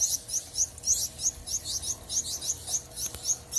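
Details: Lady Gouldian finches enjoying a new backyard aviary, filmed on a Samsung Galaxy Note 9: thin, very high chirps come in a quick, uneven series of roughly three per second, with a faint background hum.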